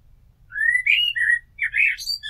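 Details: Rich, fluting blackbird song: a rising whistled note followed by warbling mellow phrases and a high twittering end, close and clear over a soft low hum.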